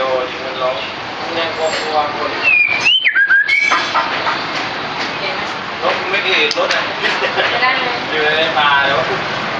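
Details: White-feathered white-rumped shama giving one brief whistled phrase of rising and falling slurred notes near the middle, surrounded by dense hissing background noise with faint scattered chirps later on.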